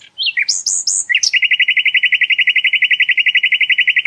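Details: Sikatan londo flycatcher, a tutor song for cage birds: several clear whistled notes sliding up and down lead into a long, fast, regular trill of ringing chips lasting nearly three seconds.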